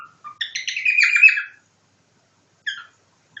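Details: Pet cockatiel copying a nightingale's song: a few soft lead-in notes, then a dense, buzzy warbled phrase of rapid repeated notes lasting about a second, followed by a short chirp and silence.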